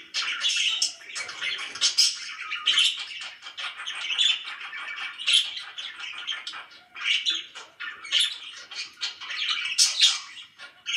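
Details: Pet budgerigars, described as very happy, chatter continuously in dense bursts of scratchy chirps and squawks, loud phrases every second or so with brief quieter gaps.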